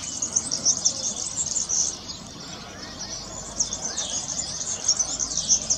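A European serin sings a very high, fast, jingling twitter in two long bursts separated by a brief quieter pause.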